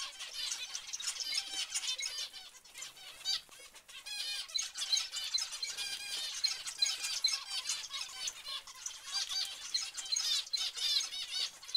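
A busy group of zebra finches giving nasal, honking beeps and chatter almost nonstop.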